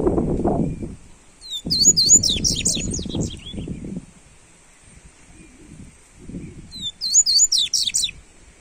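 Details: Warm-up song of a Double-collared Seedeater: two separated bursts of rapid, high, descending whistled notes about five seconds apart, with intermittent low rumbling sounds in between.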